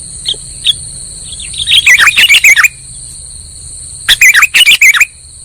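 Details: Sooty-headed bulbul call used as a trapping lure: a few isolated notes, then two short bursts of fast, bubbly chirps separated by a silent stretch, with a faint persistent high whine.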